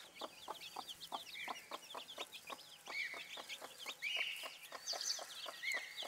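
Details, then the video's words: Broody bantam hen with her chicks: steady soft clucks repeated about three times a second under a busy stream of high, thin chick peeps and a few longer cheeps. "Glucke in Aktion Hühnerkücken Hen hen chicks in action"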